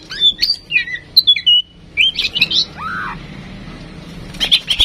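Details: Tame female oriental magpie-robin, kept to prompt other birds to sing. She gives a varied run of clear whistled notes and chirps, some rising and some falling, with a lower slurred whistle near the middle and sharp clicks at the end.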